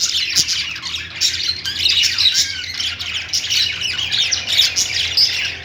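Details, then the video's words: Harsh lovebird squawks and buzzy high chirps run together, with a few downward-sliding squeals in the busy group noise. "Lovebird Singing & Chirping sounds"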